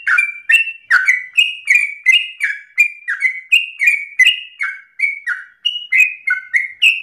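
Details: Sooty-headed bulbul pouring out a rapid 'ropel' song: bright chirps in quick succession, alternating high and low, some sliding downward, sustained without pause and with no other sounds.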